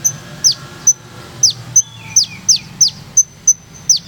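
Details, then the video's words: Olive-backed sunbird from Purworejo with a melodious, rolling 'ngeroll nembak' song style: sharp, very high downslurred notes alternating with short piercing ticks, delivered at uneven intervals over a faint low hum. "Kolibri Ninja Purworejo Berirama Syahdu Ngeroll Nembak"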